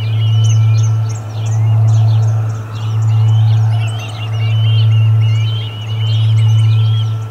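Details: Osprey at the Charlo nest on 6 August 2020, during the first food delivery of the day: runs of sharp, high whistled chirps, several each second, rising and falling, over a steady low electrical hum.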